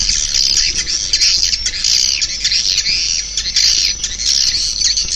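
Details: Swiftlets giving loud high squawking chirps in rough bursts about one to two per second over a continuous twittering background.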